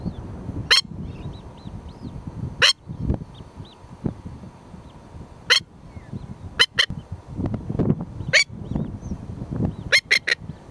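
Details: A nesting Masked Lapwing (spurwing plover) in Australia, a parent guarding a newly hatched chick, gives sharp, strident warning notes at irregular intervals, about eight in eleven seconds, over low wind rumble with faint whistles from other birds.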